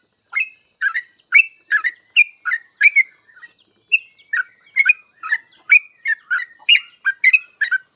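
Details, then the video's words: Sooty-headed bulbul singing actively in rapid, continuous 'full ropel' style, used as master song for training other bulbuls: about seventeen short, bubbly, chirped notes, each a quick up-and-down flick, repeated roughly twice a second with one brief pause midway. "Suara trucukan gacor full ropel"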